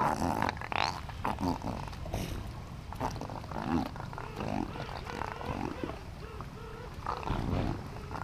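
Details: Colony of king penguins standing in a glacial river at Gold Harbour, South Georgia: overlapping wavering, trumpet-like calls from many birds over a steady rushing of water.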